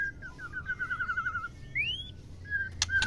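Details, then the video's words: Female white-rumped shama calling to stimulate males to mate: a long run of quick whistled notes near one pitch, then a single rising whistle and a short flat note, with clicks near the end. "MURAI GACOR MERAYU BETINA || BIKIN GACOR MURAI LAIN || MERANGSANG BETINA AGAR BIRAHI DAN MAU KAWIN"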